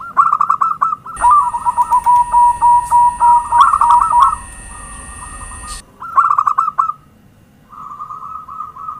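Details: Zebra dove lure song, a series of rapid clipped cooing notes that slide into a longer trilled coo. A constant high electronic tone sounds through the middle, then further short bursts of coos follow, quieter at the end.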